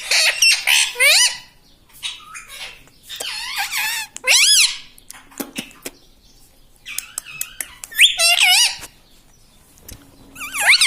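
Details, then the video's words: Pet talking parrot, said to say "mitthu" and "mummy", giving bursts of harsh, wavering, harmonic squawked syllables that rise and fall. Quiet gaps separate the phrases, with a couple of clicks indoors. "Talking parrot - Mitthu mitthu - Mummy Bolne Wala Tota"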